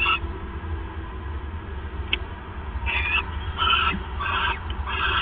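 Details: At night on 28 December 2014, the male owl bringing a third mouse; one rasp opens the recording, then a quiet stretch with a faint click, followed by three or four harsh screechy bursts close together.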